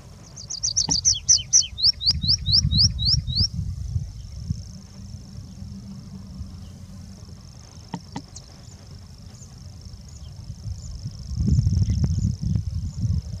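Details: Tree pipit singing at Tagle: a quick series of high, sharp notes that slow into a string of rising slurred whistles, followed by a long thin tone, with engine-like rumble and a few clicks.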